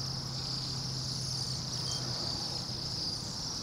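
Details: Bohemian waxwings, a flock of roughly 200-300 birds, in noisy Anchorage at minus 8 degrees F; a steady wash of high, thin trilled calls blends into a continuous shimmering band, over a low traffic hum.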